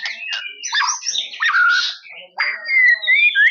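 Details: Captive white-rumped shama (murai batu) from Medan singing vigorously in the gacor style: a rich, fast run of varied whistles, rising and falling notes, short sweeps and harsher chattering phrases, broken by a brief pause midway, with no other clear sounds.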